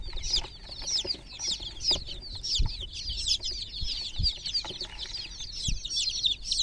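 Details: A group of chicken chicks in a water pool, said to be groggy, give rapid, high, overlapping peeps almost nonstop, with occasional low knocks and splashing.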